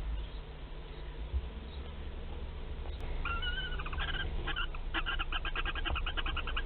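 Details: Western barn owl in a nest box at Théding, France, on 15 March 2021 while laying its first egg; after a quiet start, paired tonal chirrups give way to a fast run of short, even twittering notes over a low steady hum.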